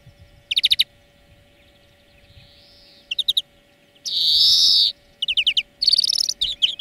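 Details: European greenfinch singing for a song lesson: scattered trilled chirp bursts, a faint soft wheeze, then a long loud buzzing wheeze followed by quick trills.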